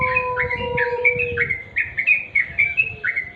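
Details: Sooty-headed bulbul, natural sound, giving lively short chirps in quick succession, each note sliding up or down, while a long low steady whistle fades out in the first half.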